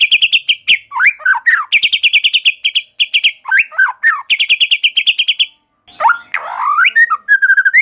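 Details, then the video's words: White-rumped shama (murai batu), a songbird of Sumatra, the Malay Peninsula and Java, in full energetic song: fast rattling series of repeated notes alternating with sweet, swooping whistled phrases, with short pauses between bursts. "Voice of Murai Batu"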